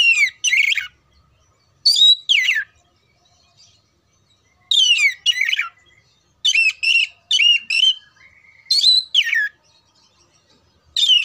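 An oriental magpie-robin sings short bursts of loud, sweet whistles mixed with harsh, scratchy notes, usually in pairs, with pauses of one to two seconds between.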